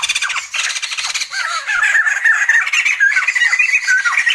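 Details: Sumatran laughingthrush in full laughing chorus: a dense, continuous run of squawky, chattering notes with bent whistled tones woven through, rapid and irregular throughout.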